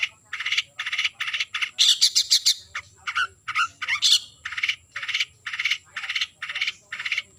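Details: Long-tailed shrike calling a rival with a steady series of harsh grating chattering notes, about two per second, briefly broken by a louder burst of quick scratchy notes.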